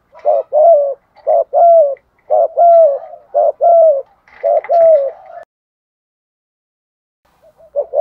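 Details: Cooing spotted dove in the thúc gù style, also called gáy gọi: a fast run of about nine low, throaty coos in paired short-long units, then silence and a faint new phrase starting at the end.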